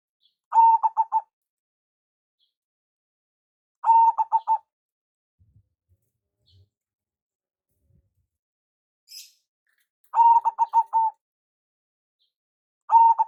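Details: Local zebra dove, perkutut, lure call: brief clusters of rapid cooing notes, each under a second, spaced three to six seconds apart with near silence between.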